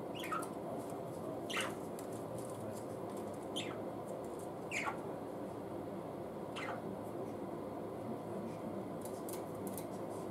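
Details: Two caged budgerigars, one larger with an orange leg ring, playing with their toys, recorded in late August 2016; short downward-sliding chirps come singly every one to two seconds over a steady background hiss.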